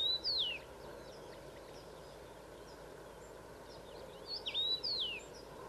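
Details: One of two male Common rosefinches singing in Szentes area (Szenéte), Transylvania, Romania: clear, high whistled notes sliding downward, one phrase at the start and a short run of three near the end, over steady background hiss.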